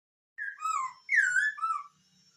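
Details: Hwamei singing two clear whistled phrases of slurred notes, gliding down and then rising, separated by a brief pause, in an otherwise quiet setting.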